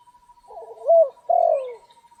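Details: Spotted dove heard during rainy-day trapping: a soft rough lead-in, a loud short coo and a long falling coo, low and husky, over a constant faint hum.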